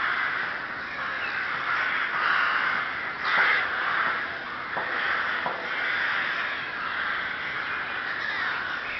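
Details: Rooks at the Ptačí ostrovy nature monument in Chrudim, Pardubice Region, Czech Republic, recorded 30 May 2011: a dense, continuous chorus of harsh, raspy caws from many birds overlapping, with a few louder sharp calls standing out.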